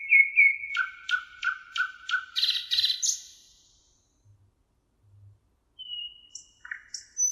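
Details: A thrush nightingale on the Emajõgi river in Tartu, Estonia, on 1 June 2018 sings a loud, rich phrase: clear whistles, then rapid repeated clicking building to a dense rattle, then after a pause sharp whistled notes.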